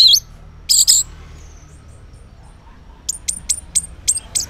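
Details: Orange-headed thrush morning song serving as a lure for silent males: two short high bursts, a pause, then a series of sharp descending whistled notes about every quarter second.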